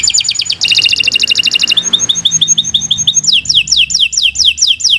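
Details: Canary in full, continuous song meant as master material for other birds: a fast metallic rattle, then a lighter run of short chips, then repeated high descending whistled swoops.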